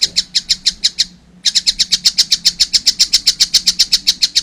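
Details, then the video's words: Young collared kingfisher's harsh, high kek notes in a quick run, a brief break near one second, then a longer, even, insistent series. "wow masih kecil udah gacor , anakan burung tengkek buto"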